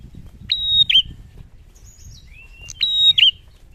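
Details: Male bar-winged prinia (prenjak) in lively song: two high whistled phrases, each with a clipped opening note, a long level whistle and a flicked ending, with a thin rising whistle between them.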